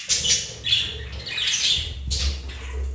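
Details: Budgies, a pet pair, mating and playing: a few rough squawks and chirps over low rumbling movement noise.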